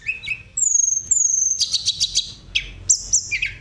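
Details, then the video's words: Energetic Sunda robin song in a rolling, flute-like style meant to set off other birds: long clear high whistles, a fast series of buzzy notes, then bright whistled phrases that dip and rise again. "tledekan gacor ngerol nyuling cocok buat pancing emosi burung"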